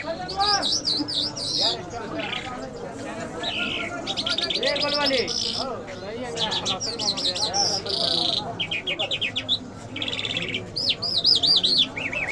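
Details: Lark performing a long Mashhadi mast style song that mixes wavering whistles, quick stuttering trills and rattling bursts, shifting pattern every second or so.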